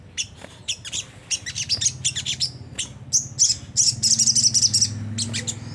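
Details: Sunda whistling thrush in ngriwik kasar style, a lure for caged birds: quick high chirps and chattering phrases growing denser, with a low hum in the background.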